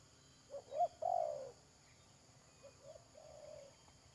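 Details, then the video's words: Spotted dove used as a decoy in bird trapping, recorded 31 May 2022: two short rising coos, then a long, slurred low coo, followed by a quieter second phrase of short coos and a drawn-out note. "Pikat Tekukur"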